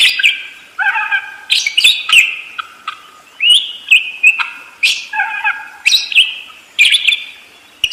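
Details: Budgerigar in continuous chattering song, a steady stream of short warbled and buzzy phrases with quick chirps and whistled slurs, barely pausing across the stretch.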